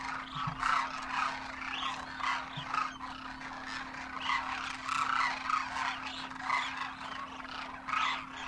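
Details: Massed Demoiselle cranes wintering in Rajasthan, India, young and adults flying together; layered, guttural trumpeting calls from countless birds merge into a pulsing roar rising and falling every second or so, over a faint steady hum.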